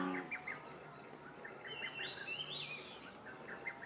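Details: Various small wild birds singing by a pond near a sports park, recorded on an FZ1000 camera while dragonflies were photographed: soft scattered chirps and short high twittering phrases from several birds over steady background noise.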